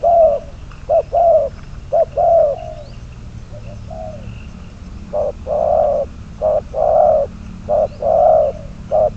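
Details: Spotted dove serving as a trapping decoy, bird number 22, producing low hollow coos in short-long sequences, pausing midway before resuming the same rhythmic pattern.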